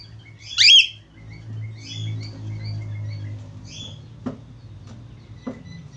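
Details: Australian finch giving a sharp, loud squeak followed by softer scattered high chirps, with two dry clicks near the end and a low hum beneath.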